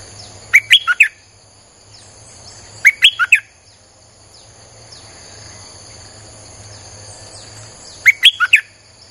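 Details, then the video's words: Streak-eared bulbul, played to lure wild birds, repeating a short phrase of four or five quick, sharp chirps three times, the gaps two to five seconds long, over a constant thin high whine and low hum. "Suara pikat merbah lekir"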